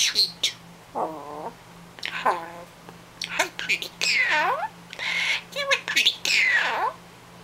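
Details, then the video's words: A young common myna, rescued from the ground at about three days old and now over a year old, imitates human speech: short, nasal, word-like phrases such as "I can talk", "pretty girl" and "so sweet", with sharp whistled tones between. "Amazing talking Mynah"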